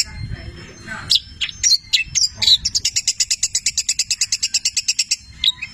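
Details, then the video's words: A long-tailed shrike, known locally as cendet, sings a song stuffed with canary and labet imitations: a few scattered squeaky whistles, then a rapid steady series of clicking high notes about four per second. "Masteran Cendet Petir gacor, Full isian mewah Labet dan kenari"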